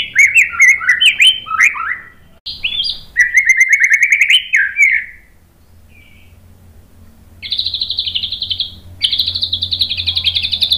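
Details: White-rumped shama singing a lure song meant to provoke other shamas into singing: rapid warbled, slurred phrases for about five seconds, a short quiet gap, then two long, buzzy, rattling high notes.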